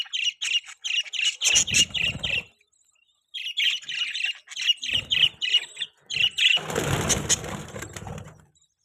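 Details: Pet budgerigars chirping: quick, evenly spaced high chirps in runs of several seconds, broken by short pauses, with rustling and a burst of broad noise near the end.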